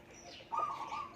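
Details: Kept Zebra dove, wild-caught with a decoy and raised at home, walking in circles as it sings. One loud, rapid, rolling cooing phrase rises after a short pause, with faint chirps in the background.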